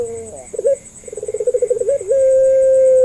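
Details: Pelung-type Barbary dove coo used to coax other doves into calling. A short warble leads into a fast throbbing roll, then a long even drawn-out hum, with a steady high-pitched whine behind.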